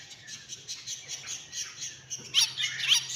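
A myna gives two loud, harsh, squawking notes about half a second apart, following a stretch of soft, scratchy chatter.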